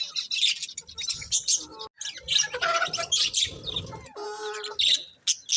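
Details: Colourful pet budgerigars chirping: dense, high twittering bursts mixed with short buzzy, harmonic warbled notes, running almost continuously with brief pauses.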